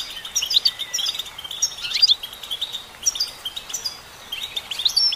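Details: Singing female goldfinch giving lively tinkling twitters and rising chirps in bursts every second or so, with a buzzy sweeping note midway and constant background hiss.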